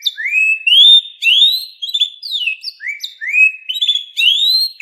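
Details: Singing canary producing a chain of sweet upslurred whistles, each rising note repeated about twice a second, with a few quick downward slurs between them.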